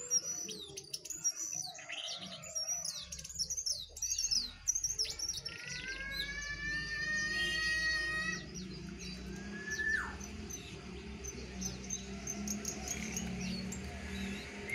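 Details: Wild and caged jongkangan in a singing contest, one wild bird against two in cages: bursts of high chirps, then a series of stacked, even whistled notes, with a low steady background hum.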